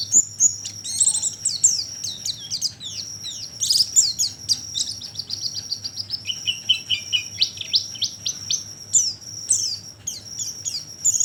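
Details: Bird-lure recording of oriental white-eye calls: lively, high-pitched chattering of thin chirps and rapid trills, some runs dropping slightly lower in pitch, backed by a steady high-pitched hum.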